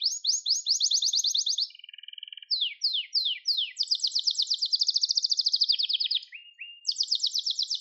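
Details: Gloster canary in song training: bright trill, a soft low buzzy stretch, separate down-slurred notes, a loud rapid rolling tour, then short rising notes and another high trill.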